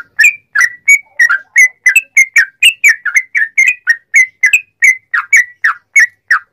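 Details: Sooty-headed bulbul song used to excite other bulbuls into singing: a continuous chain of bright, slurred whistles, about three per second, with no other sounds.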